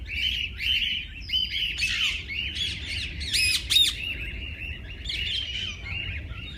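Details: Mixed parakeets in a walk-in aviary at a parrot park, fed and handled by visitors: loud, scratchy warbling and squawky chirps run together continuously, with a few sharp buzzy notes standing out midway.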